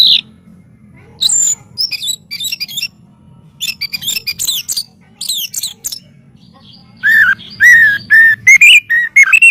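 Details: White-rumped shama singing, recorded as master audio for training songbirds. Varied, loud whistled and chattering phrases come in quick bursts separated by short pauses, ending in a run of clear, repeated, slightly rising whistles. A faint low hum sits underneath.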